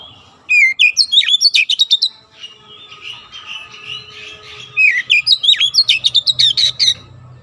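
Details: Oriental magpie-robin singing in a training recording for young birds to learn rapid, dense 'nembak' song: two energetic bursts of rapid-fire chattering and whistled notes, with quieter warbling between them.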